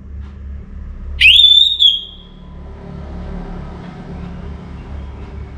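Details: Orange-headed thrush singing before dawn in North Bali: a single bright whistled phrase climbing steeply then levelling and fading, followed by steady low rumble and faint background murmur.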